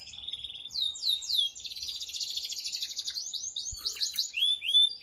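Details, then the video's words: Male canary in excited mating song aimed at the female: a few sweeping whistled notes lead into a dense, fast, high trill, closing with rising and falling slurs. "تغريد قوي جدا كناري هائج لتسميع الفراخ | canary singing"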